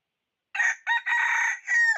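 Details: Decoy red junglefowl rooster used to lure and trap wild fowl, recorded 6/1/2021: a harsh four-part crow, two short bursts, a long sustained middle phrase and a final note that slides downward, with no background sounds.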